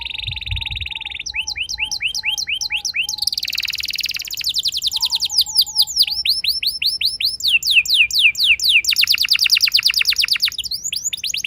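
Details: Young canary, its song used as a lure for long rolls in other canaries: a buzzy sustained note, paired chirps, then long fast trills and rolls that build steadily louder.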